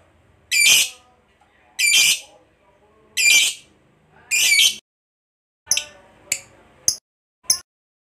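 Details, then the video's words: Lovebird giving separate harsh, shrill squawks in a set of four longer bursts about every 1.3 seconds, followed by four short sharp clicks; quiet gaps between. "LOVEBIRD FIGHTER NGEKEK PANJANG, TERAPI JITU PANCING LOVEBIRD MACET JADI GACOR FIGHTER RAJIN BUNYI"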